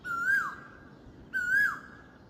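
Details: Asian koel singing at dawn in spring: two clear whistled notes about 1.3 seconds apart, each held level, rising briefly, then dropping sharply at the end, over faint background hiss.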